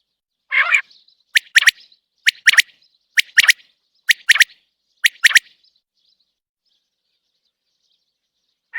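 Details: Free of its cage, a common quail opens with a rough, buzzy note, then gives six evenly spaced phrases of three sharp, high, clicking whistles before falling silent.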